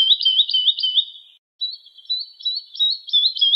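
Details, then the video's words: Woodlark song: two runs of liquid, slurred notes, about four a second, split by a short silence, with no other sounds behind. "نصف ساعه من تغريد طائر الولوال Woodlark Alouette lulu"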